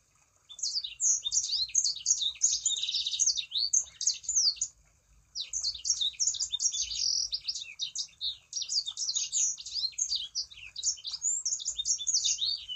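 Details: Long stretch of Sangihe shrike-thrush song, used to make other sanger birds join in: fast, high-pitched chattering and twittering in two extended bouts with a brief pause near five seconds. Faint low rumble underneath.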